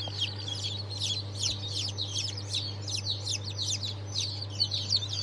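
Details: Newly hatched chickens of the Sultan, Fizan and İspenç breeds peeping: many shrill, high chirps overlapping at about three per second, over a steady low electrical hum.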